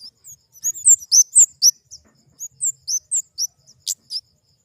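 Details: Flowerpecker (kemade) uttering clusters of thin, piercing high chirps, quick slurred notes in two bursts separated by a short pause, clean background.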